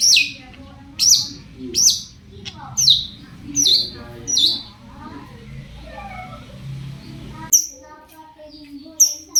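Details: Cendet, the long-tailed shrike, singing as a lure to prompt other shrikes to answer; a series of high notes sweeping downward roughly every 0.7 seconds, a quieter pause, then more high sweeps.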